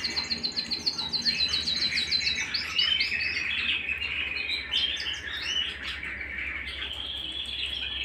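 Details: Canary singing at home, a fast run of high chirped notes giving way to warbling trills and a long sustained rolling phrase.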